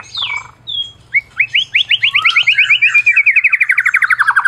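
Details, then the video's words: Medan white-rumped shama, an award-winning singer used to provoke silent shamas into singing: a few whistled slurs lead into a long, fast, even trill of rising notes that slowly drops in pitch, over a faint low hum. "Masteran Murai Batu Medan Berprestasi !! Murai juara,, cocok pancing murai lain yg bisu"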